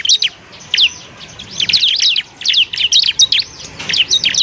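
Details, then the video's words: Training song of a bar-winged prinia for other birds: scattered clusters of bright, high, squeaky notes in quick bursts with brief silent gaps. "masteran burung ciblek"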